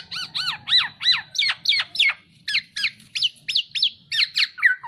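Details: Masteran recording of a black-naped oriole: a steady string of bright, high, arched chirps repeated roughly three to four times a second, some with squeaky overtones, over a faint low background hum.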